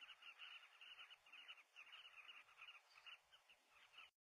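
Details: From a hide at a southern carmine bee-eater breeding colony in South Luangwa, Zambia: quieter, more distant birds giving rolling calls in loose bursts about twice a second, ending abruptly.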